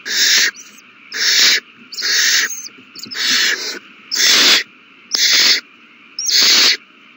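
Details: Feeding time for nestling owls, 27 March 2020, all babies eating well; seven harsh, breathy hiss-screeches repeated about once a second in a steady series, over a faint hum.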